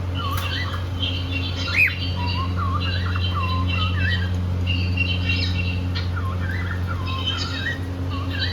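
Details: Pair of happy cockatiels singing while playing: busy stream of quick looping whistles and harsher squawky chirps, several per second, with one loud squawk near two seconds, over a steady low background hum.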